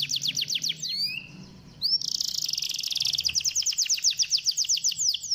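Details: Canary singing to stimulate a lazy canary: fast repeated downslurred notes, a short rising glide and brief quiet, then a long dense trill breaking into evenly repeated sweeping notes.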